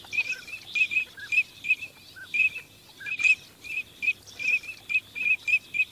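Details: Migrating teal giving repeated short whistled notes about twice a second, with occasional lower soft peeps between them. No other clear sounds.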